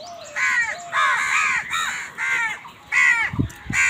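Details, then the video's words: Crows squabbling over food: a burst of harsh, hoarse caws with rough layered tones, repeated in quick overlapping bouts, several birds calling against each other, with a brief thud near the end. "Crows fight for food Crow Sound কাকের ডাক 101Crow Sound Effect Crow ki Awaz Crow Bird Crowing Sound"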